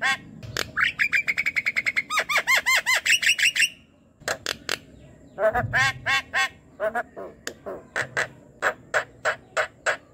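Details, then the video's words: Night-time lure of Javan myna singing for a quiet, lazy bird: a quick train of ringing arched chirps and sustained whistled notes, a brief pause, then spaced harsh squawky notes with faint low background noise. "MALAM hari pun COBA PANCING dengan ini jalak kebo yang BENGONG MALAS BUNYI"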